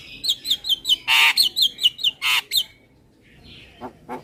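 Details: Javan myna giving a super kenyih lure call. A quick series of short, sharp chirps is broken by two long rasping screeches, and the calling then fades into quiet.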